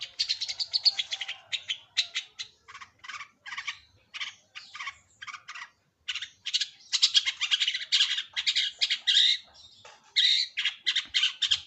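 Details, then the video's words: Long-tailed shrike pancingan song: long runs of rapid, rasping staccato notes mixed with high sharp chips, delivered in near-continuous volleys with brief pauses. "Pancingan Burung Cendet"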